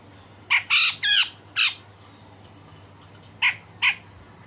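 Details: Grey-cheeked bulbul uttering loud, coarse squawking notes: a cluster of four rasping bursts, a pause of nearly two seconds, then two sharper clipped notes, against faint hum.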